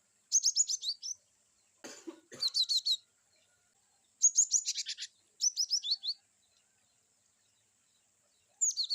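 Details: Cinereous tit (glatik batu), kept bird, singing varied wucit-wucit phrases for training: loud runs of quick high chirps sliding downward, one phrase preceded by a brief broad rustling knock.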